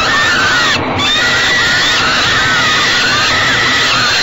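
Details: Screaming from falcon chicks fed by their mother at a nest box on an evening in late May 2013. Drawn-out, rasping wails overlap continuously, with a brief scrape of movement near the start.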